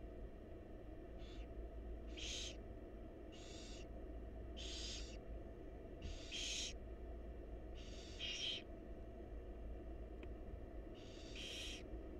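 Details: Begging barn owl chicks in a wild nest box as the mother feeds them: rasping hissed screeches, some short and some longer, repeated roughly every second over constant low background rumble.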